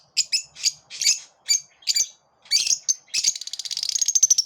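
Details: Lovebirds in a group, repelling each other, give a string of separate high chirps about every half second, ending in a fast, buzzy, stuttering trill of rapidly repeated notes.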